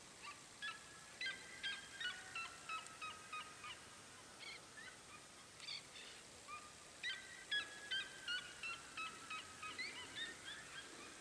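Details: In Minas Gerais, Brazil, a red-legged seriema, the state's symbol bird, utters a long sequence of short, nasal yelping notes, several each second, rising and falling in loudness, against quiet outdoor hiss.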